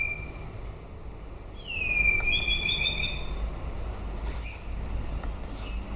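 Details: White-rumped shama singing at the end of the breeding season: sparse clear whistles, one sliding down then held steady, followed by brief high bright notes, over a low background rumble.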